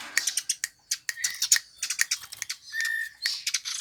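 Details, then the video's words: Eurasian tree sparrow, prized by songbird enthusiasts, producing spaced sharp chirps that quicken, with short level whistles in between. "Burung Gereja yang Banyak dicari Kicau Mania"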